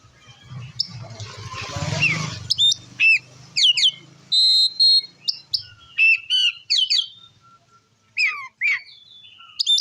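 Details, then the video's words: Oriental magpie-robin singing in the loud ngeplong style, used to provoke other magpie-robins; after a noisy rumbling burst, sharp whistled notes and rising and falling slurs follow in quick, uneven bursts. "Suara Kacer Gacor Ngeplong Ampuh Memancing Emosi Kacer Lain - Pancingan Kacer Bahan"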